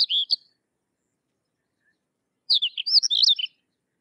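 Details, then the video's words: Sykes's lark singing a short high phrase, then, after a pause, a second lively run of varied chirps and whistled slurs lasting about a second. "Sykes's Lark or Twany Larks Singing"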